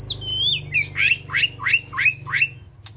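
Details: Caged white-rumped shama calling to the flock inside an aviary: a high whistled opening, then five loud rising slurred notes in quick, even succession, over a low steady hum.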